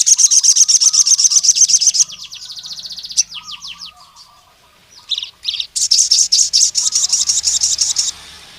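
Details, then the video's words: Crimson sunbird of the forest type calling to a rival male: a long, fast, sharp high trill, fading downswept chips, then a loud renewed trilling burst; lower, softer whistled phrases in the background. "SUARA BURUNG SOGON NGALAS GACOR MEMANGGIL LAWAN JANTAN INI"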